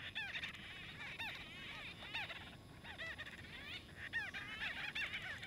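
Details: Several white-fronted bee-eaters squabble over nesting space in Kruger National Park, South Africa; short nasal arched chirps come in irregular bursts from overlapping birds over faint background hiss.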